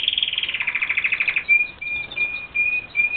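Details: Red factor canaries in a cage, adults singing while feeding their babies; a fast rolled trill of bright repeated notes for over a second, then a string of short level whistled tones repeated about every half second.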